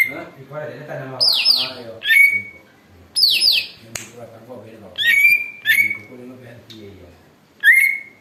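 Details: Loud greater green leafbird said to imitate an eagle, a recording meant for luring: twice a harsh, buzzy, falling screech, then several bright clipped whistles that rise and hold, with a soft low murmur between bursts.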